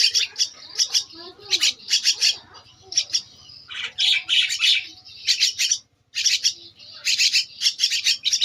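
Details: Javan myna nestling, two weeks old, repeating hoarse, scratchy bursts in quick runs of three or four, interrupted by a short silence near the end; faint softer chatter underneath.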